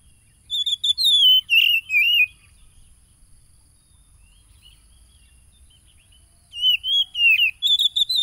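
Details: Oriental magpie-robin, wild-caught, phone-recorded Saturday 30 July 2022 at Tulus Rejo, Pekalongan, East Lampung, Lampung; song used to stir caged birds. Two bursts of rich whistled, warbling notes separated by a four-second pause, over a constant high-pitched hum.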